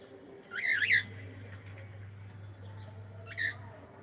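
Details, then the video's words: Pet cockatiel saying hello, giving a burst of harsh, squawky chirps near the start and one shorter chirp toward the end, over a constant low electrical hum. "is saying hello"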